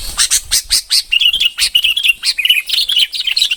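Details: A bông-type red-whiskered bulbul gives fast chattering song, with sharp high clicky notes first, then warbled, slightly rising and falling phrases in steady quick succession.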